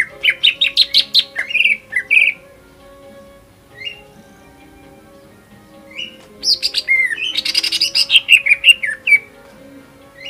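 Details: Leafbird lure song of a greater green leafbird aimed at provoking rival birds: an opening rush of chirps and whistles, a long quiet gap with one or two notes, then a dense, tumbling burst of buzzy and whistled phrases.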